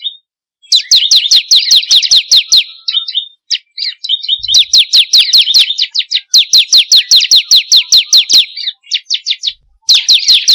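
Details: Bar-winged prinia song played to get caged birds singing: long rhythmic runs of high, sharply downslurred notes, several a second, broken by short pauses and quick clipped chirps, with no other sounds.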